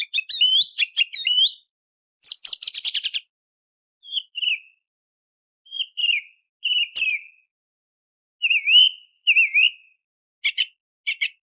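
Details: Before sunrise, a song thrush delivers varied phrases of sharp chirps, rapid stuttering trills and slurred whistles. Several motifs come twice in a row, with short pauses between bursts and no other sounds.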